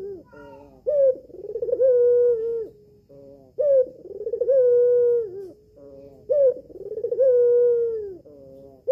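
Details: Red-eyed albino collared dove, a female kept at home, used to lure males into calling back. Deep phrases open with a quick upward note, followed by a drawn-out vibrating coo that falls away at the end. Three phrases are heard.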